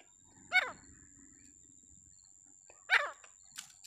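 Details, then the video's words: Two harsh, downward-sweeping notes from a grey francolin, about two and a half seconds apart, over a faint low hum and a steady high-pitched tone. "जंगल राम तीतर आवाज"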